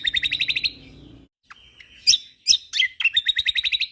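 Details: Kecial kombok white-eye of Lombok on a training recording for songbirds: a fast high ticking trill, a pause, scattered sharp chirps and slurred notes, then another long, rapid trill.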